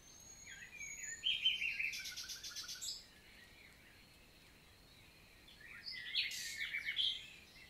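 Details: Nightingale in forest on a June morning, Lot region of France, 2023: a phrase of quick buzzy repeated notes lasting about two seconds, silence, then a second jumbled, rapid phrase, with faint high calls in the background.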